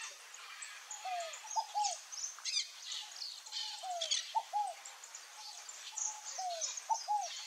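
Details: Song of a scaled dove (rolinha-fogo-apagou): three-part phrase of one falling soft note and two quick higher coos, repeated about every two and a half seconds, while other small birds twitter in the background.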